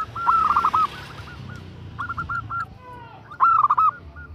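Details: Female zebra dove, known locally as perkutut, calling for a male: a loud burst of fast cooing notes, quieter scattered coos, then a second strong burst, over low background noise.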